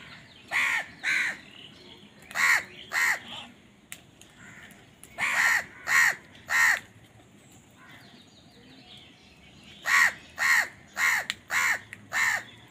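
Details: Crows squabbling for food, calling in bursts of two to five harsh, hoarse caws, each burst separated by brief pauses over several seconds.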